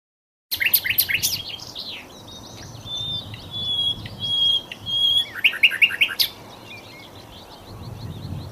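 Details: Sikatan londo flycatcher song for training magpie-robins: quick high chips open, followed by thin, sustained whistled notes held at steady pitch, then a sudden burst of sharp chirps before fading into quiet.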